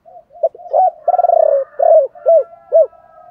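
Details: Spotted dove phrase in the chiêu ba hậu style, used to stimulate other doves to sing: deep hollow coos, a rapid stuttering rolled coo, then three loud arched coos at even spacing.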